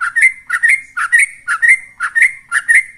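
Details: Ropel-style bulbul song from a yellow-vented bulbul, played to stir kept birds into singing: clear, liquid chirping phrases that rise and fall, repeated about twice a second in an even, rapid rhythm.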